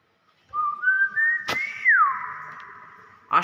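A common hill myna gives a long, clear, human-like whistle that steps up and then slides down before levelling off, with sharp clicks at the start and end.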